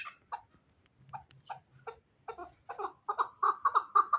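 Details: Hybrid fighting chukar partridge starting with scattered soft clucks and pauses, then building into a quick, loud string of chuck notes.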